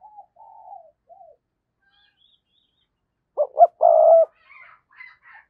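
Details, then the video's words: Lure-calling decoy spotted dove: quiet low coos first, then two sharp rising notes and a long, loud, even coo. Faint higher chirps follow at the end. "tiếng cu gáy - Chim Cu Mồi Thúc Và Gáy Gọi"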